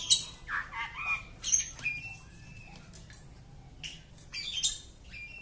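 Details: Home-kept Oriental magpie-robin uttering scratchy squawks and short whistled notes, a drawn-out thin whistle near two seconds, and bursts of noisy, wing-like rustling.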